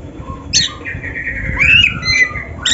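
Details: Oriental magpie-robin (kacer) song used as a training recording for other kacer: a sharp high note, then a long warbled phrase of rising and falling whistles, ending with another bright high note.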